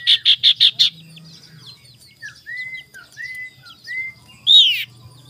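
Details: Ashy tailorbird (sirtu) in the morning, a lure recording to provoke rivals: five loud, clipped, high notes in quick succession, then softer whistled slurs, closing with a loud downward-sweeping note.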